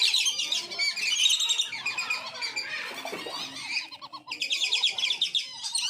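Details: Wandering whistling ducks from a farm, used as a decoy sound for wild ducks: busy high-pitched chattering from a flock, with bursts of rapid rolling whistles and a short quieter gap midway.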